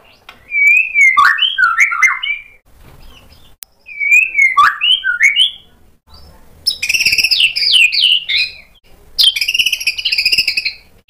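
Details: White-rumped shama provoked into loud answering song that shows off its mimicked material. Two bursts of twisting, warbled whistles, then two harsher, buzzy chattering phrases pitched higher, separated by short pauses.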